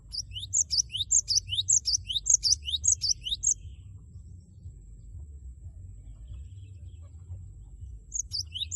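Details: Java sparrow song used to provoke a rival bird into singing: rapid, high, sharply repeated chirping notes in a dense burst for about three and a half seconds, then near silence, with the notes resuming at the very end over a low hum.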